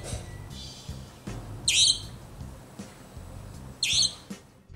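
Savanna Nightjar giving two harsh, high, rasping screeches about two seconds apart, each a loud 'tchweek' over soft background music.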